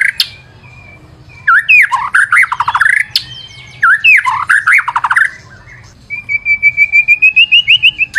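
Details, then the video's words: White-rumped shama song for luring: two harsh rattling, descending trilled phrases with whistled lead-ins, then a steady series of about a dozen rising repeated whistles, low hum behind. "PANCINGAN MURAI BATU GACOR"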